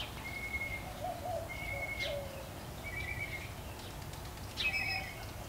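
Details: Mockingbird singing in a back yard: thin whistled notes about one second apart, each repeated several times, with a rougher double phrase near the end, over a steady low background hum.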